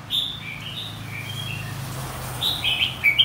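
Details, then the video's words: Red-whiskered bulbul, white-cheeked contest bird, singing: soft rambling warbles at first, then a quick, louder string of sharp chirping notes near the end, over a faint low hum. "Kích chào mào hót đấu.. Kích má trắng hót.. Luyện má trắng hót đấu"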